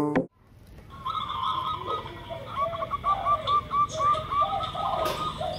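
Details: Zebra dove, a local bird used as a lure: a row of short soft cooing notes repeated about four times a second, over a steady hum with other doves' lower coos behind.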